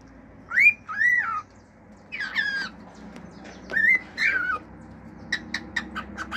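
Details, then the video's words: Singing male cockatiel kept as a pet, giving arched whistles and rough warbled notes, then a run of rapid short clicks at the end, over low steady hum. "CALOPSITA MACHO CANTANDO CANTOS NATURAIS, FIU-FIU, ESTALINHOS ENTRE OUTROS"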